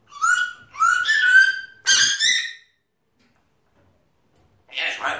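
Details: Pet African grey parrot chattering to himself indoors: a run of whistled, rising and warbling syllables around two seconds long, a pause of silence, then a short burst of rough, raspy chatter.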